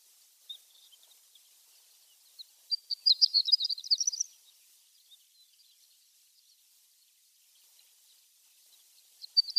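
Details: Horned lark in Mongolia, likely an adult of a form without yellow on the throat: a brief burst of high, thin, tinkling twitters lasting about a second and a half, with faint scattered notes before and after.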